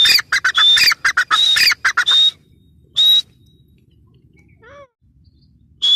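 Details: Grey francolin calling: loud, harsh, rapidly repeated high notes with a whistled accent, delivered in a fast rhythmic burst of about two seconds, then a single isolated note and a soft lower chirp in quiet surroundings.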